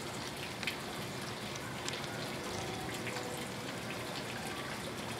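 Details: A steady hiss of rushing water fills the recording, with a few faint taps and no animal voice.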